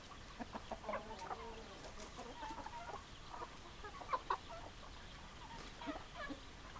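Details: Chickens in a flock: hens clucking in short, irregular bursts of nasal clucks, with a few louder squawks, over a low steady background hum.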